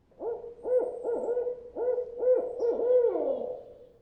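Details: A Barred Owl gives its rhythmic 'who cooks for you, who cooks for you all' hoot, a series of about eight deep, resonant notes, the last drawn out and slurring down; callers then fall silent to listen for other owls answering, by day or night.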